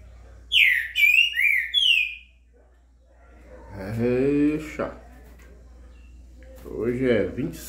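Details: Green-winged saltator sings loudly in the morning on 26 September, a burst of rich, sweeping whistled notes lasting about two seconds, followed by a person speaking.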